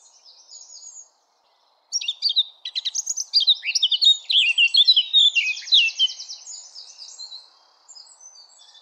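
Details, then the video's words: A Eurasian blackcap sings a rich, fast warble of varied chirps and whistles, rising into a loud flutey flourish, after a brief quiet opening. "Blackcap Bird Song"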